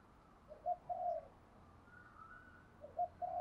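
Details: Morning cooing from a decoy spotted dove meant to set newly caught doves calling; two soft, low coo phrases, each a short note followed by a longer one, over steady background hiss.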